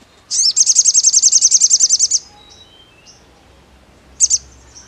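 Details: Sogon song: a fast, even trill of high, sharp notes lasting almost two seconds, about 13 notes, followed by quiet and a short burst of two high chirps. Faint soft whistles sound in the background.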